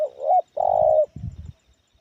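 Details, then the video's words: Spotted dove singing in a loud medium-pitched voice, the bird noted for its distinct head shape: a brief rising double coo followed by a long, steady, slightly wavering coo, with faint low rustling after. "Suara Menengah Lantang Kuk 1"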